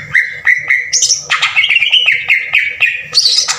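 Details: Green leafbird song used as a lure to provoke singing, a coarse 'tembakan kasar' style: loud repeated whistled notes near one pitch, then shifting higher and lower phrases with harsh rapid bursts, ending in a high buzzy flourish.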